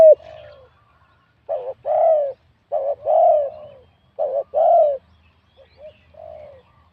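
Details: A spotted dove from the wild, singing with a medium-to-large voice in competition. A trailing coo opens, then three phrases each pair a quick double note with a swelling, rounded coo, ending in softer fading notes. The background is quiet.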